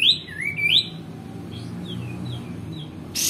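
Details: Actively singing male white-eared bulbul, used as a tutor song for other songbirds, gives bright whistled notes that dip and rise. Softer, quicker slurred phrases follow, then a short burst of noise.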